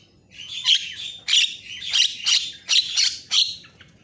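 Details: Lively Javan myna tutor recording meant to get other mynas worked up; loud, grating squawks repeated roughly every half second, each one broad and buzzy.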